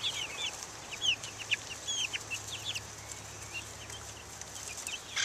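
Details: Young chickens of Buff Orpington, Black Australorp and Ameraucana breeds out in the open air, 2010; scattered shrill peeps and short falling chirps from several chicks, with brief quiet gaps between bursts.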